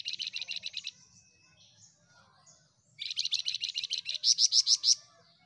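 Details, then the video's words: Flamboyan in full gacor song: fast, evenly spaced chattering notes, about three per second, in two runs. The second run climbs into louder, sharper whistled pips at the end. The background is quiet. "Burung FLAMBOYAN Gacor"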